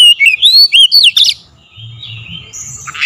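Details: Oriental magpie-robin singing on a lure recording that provokes singing: about a second of loud, rising and falling whistled notes, then only faint high trills and a soft low rumble.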